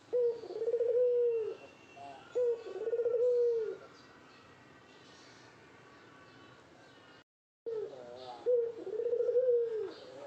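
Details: Spotted dove courting a female, giving low, mellow cooing phrases, each a drawn-out bowed coo about a second and a half long, three phrases with a quiet pause in between.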